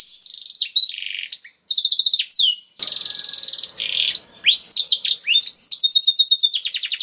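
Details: Canary in vigorous 'cengkok istimewa' (special phrasing) singing, played to prompt other canaries to sing: loud, high, rapid trills and rolling runs of repeated whistled notes with buzzy sweeps, a brief silence near the middle, then fast chattering trills resume.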